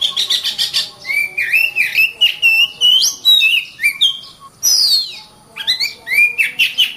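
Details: Oriental magpie-robin singing energetically ('gacor'): a rich, varied medley of fast chattering notes, rising and falling whistled slurs and a high descending sweep, delivered in continuous, bright phrases.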